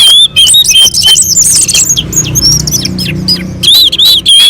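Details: Orange-headed thrush singing on a mountain slope, a song meant to spur other birds to sing: fast, sharp high whistles and clipped chirps in tight succession, brief pause near the end, low murmur underneath.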